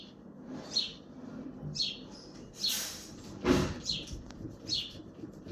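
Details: Sparrow chirping on a balcony in Hazaribagh, India, repeating clipped high chirps about once a second, broken by a loud knocking or door-like bang partway through.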